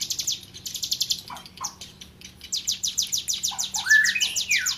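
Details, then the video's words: Tame hill prinia singing energetically, with bursts of fast, high ticking pulses broken by short dropping notes and a rising then falling whistled phrase, then more rapid pulsed notes. "CIBLEK GUNUNG JINAK GACOR-KLOWOR"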